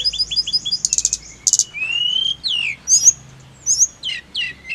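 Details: Snowy-browed flycatcher song, meant to make birds sing readily: repeated thin whistles, two short rattling bursts, a long rising slur, then scattered downward-sweeping chirps separated by short pauses.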